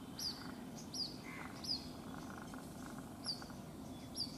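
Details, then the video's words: Separated white-breasted waterhen chick calling at a house in Rajasthan, India; high, thin downslurred peeps at slightly uneven intervals, with a brief lower note in between and quiet background rumble. "Waterhen baby calling"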